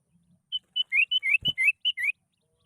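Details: Kutilang, the sooty-headed bulbul, in a lure recording meant to set other bulbuls singing: a short run of clear whistled notes, some flat and some rising, spaced about a quarter second apart, with one low thump.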